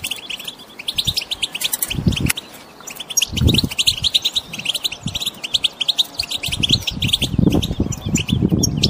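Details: Wild European goldfinches chirping together in a group to prompt a silent goldfinch to sing; dense high twittering chirps repeated rapidly throughout, with intermittent low thumps and knocks underneath.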